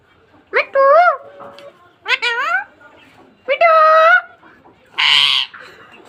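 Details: Talking green parrot repeating short, voice-like words about every one and a half seconds, each with bending harmonic contours, and a harsh, broad-band squawk at the end.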